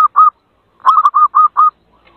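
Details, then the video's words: Zebra dove calls used to lure birds: a short soft coo, a pause, then a quick series of four or five hollow, mellow cooing notes in even rhythm, clean with no background. "suara pikat burung perkutut"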